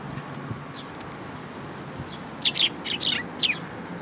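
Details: Sparrows coming to be fed at a bridge in Japan on 6 September 2022: after a quiet start, a quick cluster of five sharp, high chirps, with a steady high whine running underneath throughout.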